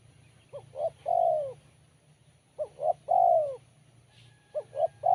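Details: Spotted dove with a crisp, sharp voice. Two full phrases, each two quick coos and then a long falling coo, about two seconds apart, and a third phrase starting at the end. A faint low hum is heard.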